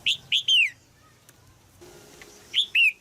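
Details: Caged female red-whiskered bulbul in Thailand, calling so a young male will sing: three quick chirps, the last slurring downward, then a pause with faint hum, then two more chirps.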